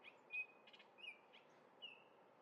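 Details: Orioles eating grape jelly in Minnesota, singing brief clear whistled notes, a few short level tones and slurred whistles spaced across two seconds over a soft outdoor background.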